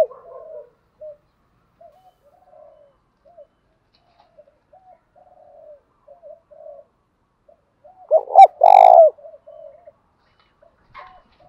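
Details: Spotted dove call meant to stimulate and train male doves. Scattered soft, short coos run throughout, broken near the end by one burst of loud, full coos with a crackle before it.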